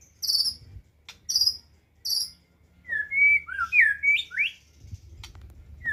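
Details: White-rumped shama song: three sharp high chips, then a flowing series of loud rich whistled notes sliding up and down, ending in a soft low rumble.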